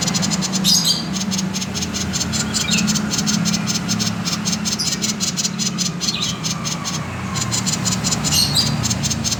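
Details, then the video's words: Common iora song in the konslet style, used as a lure to get other birds singing: rapid bursts of buzzy, rattling high pulses with short chirps between them, over a steady low hum throughout. "Suara burung SIRTU/CIPOW konslet"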